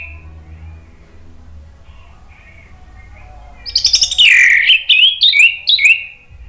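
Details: Caged male orange-headed thrush answering spontaneously, used as a lure song: after a few seconds of soft background hum and faint distant notes, a loud series of sweet whistled phrases with quick upward flicks.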